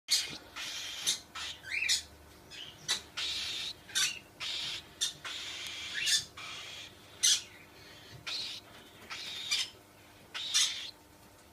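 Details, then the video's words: Cockatiel giving a series of short, harsh, high screeching calls, roughly one to two a second, some with quick rising whistled sweeps, over a faint steady hum. "Cockatiel 34"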